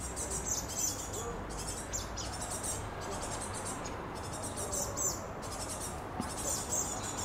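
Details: Two juvenile great tits with one adult in Paris, young waiting to be fed: bursts of high, hissing, wheezy begging calls about every one to two seconds over a steady urban background rumble.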